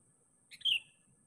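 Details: Sooty-headed bulbul calling for a rival, used as a lure call: one brief bright fluty note, sliding slightly downward, heard against a quiet background.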